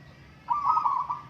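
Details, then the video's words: A single local zebra dove phrase from a singing contest: one bubbly, stuttering trilled coo under a second long after a quiet lead-in. "Burung perkutut lokal adu suara"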